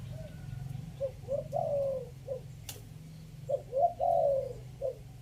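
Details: Spotted dove decoy bird, Chiang Mai, Thailand, three-note 'kuk' coo style: two phrases of low mellow coos, short notes leading into a longer drawn hoot, over a steady low background hum and one sharp click.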